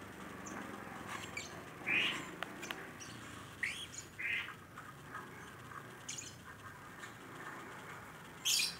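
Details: Rainbow lorikeet, nuri pelangi, said to be gacor and calling freely: a string of short rising chirps and squeaky notes scattered through the recording, ending in one loud harsh squawk, over a quiet background hiss.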